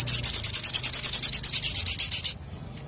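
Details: Sunbird in full song, the ngleper ngalas style: a rapid, steady trill of very high, buzzy repeated notes lasting over two seconds, then stopping abruptly; faint low hum in the background.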